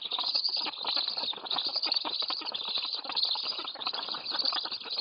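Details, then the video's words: Begging black stork chicks at a Polish nest near Lodz during a feeding, 8:46 am, 29 July 2018. The rasping, hissing chorus stays steady and loud, with brief choppy surges throughout. "Food for the storklets"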